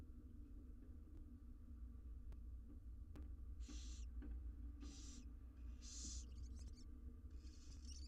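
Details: Six wild barn owl nestlings begging while being fed inside a research nest box; rasping hissed screeches start after a quiet spell and come in quickening bursts toward the end, with a constant low rumble beneath.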